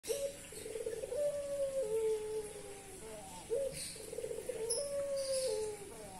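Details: Dove in breeding condition cooing without pause: low hoarse coos, each a short note followed by a longer drawn-out tone with a slight downward step, given in two phrases separated by a brief gap.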